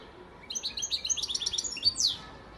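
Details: European goldfinch, a breeding male bird from Antalya, Turkey, recorded in 2018, singing a fast twittering phrase of high, metallic chirps and trills that ends in a bright descending slur.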